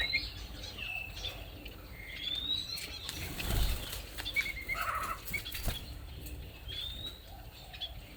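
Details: Leafbird giving a run of short, clear whistled notes and thin upslurred chirps, scattered irregularly through the clip, over a steady low rumble with soft rustling.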